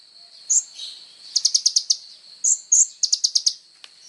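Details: Sunbird song for training songbirds: slurred squeaky notes followed by quick runs of five or six sharp high chirps, repeated twice.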